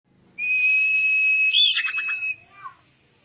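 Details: Common iora song used as bait to get birds singing: one long, steady whistled note held about two seconds, ending in a burst of rapid buzzy chips and trills.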